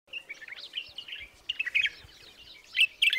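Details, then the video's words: White-eared bulbul singing: a run of quick, chirpy warbled notes that jump up and down, with louder bright bursts near the end. "The sound of the white-eared nightingale singing"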